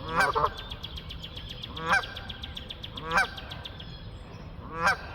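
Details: Four sharp nasal honks from flying geese, spaced unevenly one to one and a half seconds apart, each brief and strongly harmonic, over light background noise.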